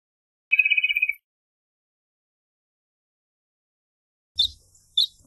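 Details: A Wrentit (Chamaea fasciata) gives a quick, even trill of about ten clear notes at a steady mid-high pitch, followed by two sharp knocking noises.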